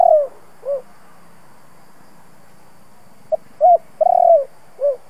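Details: Spotted dove cooing to stimulate decoy birds: the tail of one phrase with a falling coo and a soft note, a pause, then a full phrase of a clipped note, a short coo, a long rolling coo and a rounded end coo.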